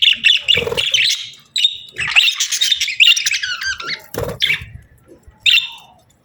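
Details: Pet budgies chirping and chattering indoors, bursts of scratchy, warbled notes and short squawks centred high in pitch, broken by brief pauses, with a few low clicks and thumps between phrases.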